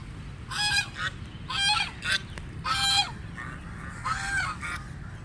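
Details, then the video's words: Feeding ducks giving loud, harsh, nasal honks in five bursts, roughly one each second, each burst rich in overtones and slightly wavering, over a constant low background rumble. "Ducks Feeding Sounds"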